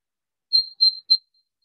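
A Desert Cisticola gives three high, thin notes on one steady pitch in quick succession, the first two slightly drawn out and the last clipped short.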